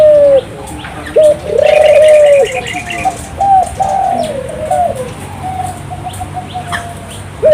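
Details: A turtle dove sings to stimulate local doves: a short note and a long low coo, then softer, fainter coos trailing off, while a quick high trill of another bird sounds briefly early on.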